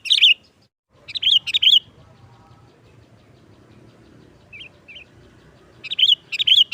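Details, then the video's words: Sooty-headed bulbul in 'nggaruda' song style, used as a trapping lure: brief bright warbled phrases at the start, a long quiet stretch with low background rumble and two soft notes, then another short bubbly burst. "Suara Burung Kutilang Gacor NGGARUDA TAJAM | Pancingan pikat Kutilang jadikan Kutilang ribut"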